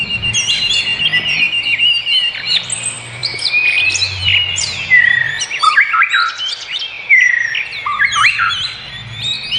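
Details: Wild birds sing in nature with a busy mix of whistled slurs, sharp chirps and short descending notes from several singers, loudest in the second half, over soft low background noise.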